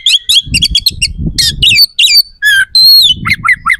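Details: Energetic oriental magpie-robin song of coarse, sharp varied phrases meant to agitate competing males; rapid chattering notes, harsh buzzes and long clear whistles, with low background rumble.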